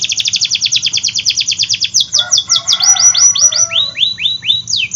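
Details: Canary in full song, used to prompt hard-to-start and young canaries to sing: fast run of repeated high downslurred notes for two seconds, then a rough chattering passage and looser swooping whistles, with a low background hum.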